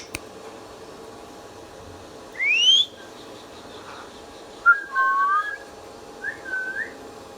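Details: Pet ringneck parrot, a talking bird, giving three separate clear whistles: a quick rising sweep, then a pair of short gliding notes, then a soft level whistle, with quiet gaps and faint background hiss between them.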